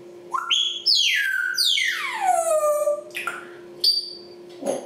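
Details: Captive African grey parrots mimicking and making noises: loud whistled notes, some leaping upward, then long sweeping whistles gliding down from high to low, followed by shorter harsh squawks and clicks, over a steady indoor hum.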